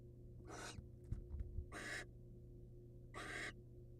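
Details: Barn owl, wild, on a birdcam during the male's prey presentation to his female. Three coarse hissing screeches about one and a quarter seconds apart, with light thumps and scuffles between the first two.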